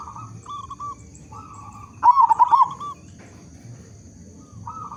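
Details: Zebra dove of a local strain with a big voice, used to prompt other zebra doves into song: fainter cooing phrases around a single loud, fast, trembling coo burst midway.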